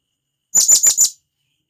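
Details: Blue-crowned hanging parrot, wild, calling companions: a single short run of four sharp, high, squeaky chirps in quick succession, with nothing else heard.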